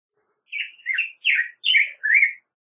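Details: Five mellow, warbled whistles from a black-headed grosbeak, each a rounded slurred note, given at an even, unhurried pace.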